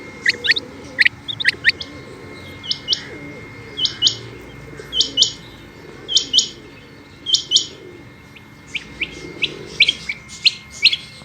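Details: Female Rain Quail, called batair locally, gives sharp high chips, then several evenly spaced, buzzier doubled notes about a second apart, then more quick chipping, all over a faint steady hum.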